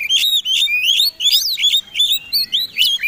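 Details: Oriental magpie-robin of fighting type singing loudly as a lure for other birds: strong, piercing whistled phrases with sharp rising and falling strokes, repeated in fast bursts about every half second.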